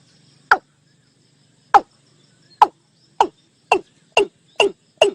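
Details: Watercock calling, used as a decoy call for luring birds by day and night: eight short, hard knocking notes dropping in pitch, spaced about a second apart at first, then coming faster and more evenly toward the end, on a quiet background.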